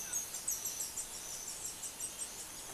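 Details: White-barred piculet chicks crying for food while a pair of parents feeds them; faint, thin, very high peeps repeated about three times a second against a soft hiss.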